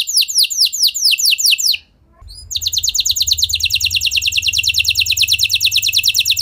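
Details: An F1 canary sings to lure other canaries to respond: a moderate trill of sweeping notes, a short silence, then a denser, faster high trill with a low hum beneath.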